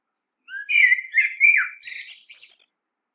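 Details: Common blackbird singing one phrase: mellow, fluted whistled notes that slur down and rise again, then a thin, squeaky, high twittering flourish to close, all in about two seconds against a quiet background.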